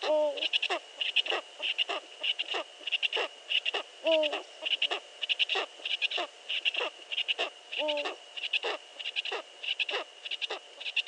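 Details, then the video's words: Eurasian eagle-owl calling before dawn at 5:31 am on 15 March 2013: deep hooked hoots about every four seconds beneath a dense dawn chorus of other birds, with a steady high ringing tone throughout. "Oehoe / Eurasian Eagle Owl (Bubo bubo)"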